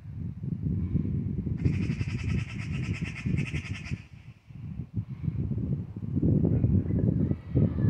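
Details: An angry Eurasian magpie, persistent, apparently in a standoff with a cat: harsh, rapid rattling chatter for about two seconds, against a steady low rumble of wind or handling noise.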